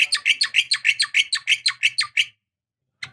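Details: Javan myna, a female calling the male to provoke singing, used as a lure for a young or silent bird: a fast run of about twelve harsh, scratchy chattering notes over two seconds, then one more note after a pause, with a faint low hum.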